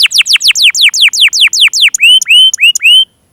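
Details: Canary song to prompt young and stalled canaries: a quick train of descending whistled sweeps changing into five long rising whistles, ending in silence.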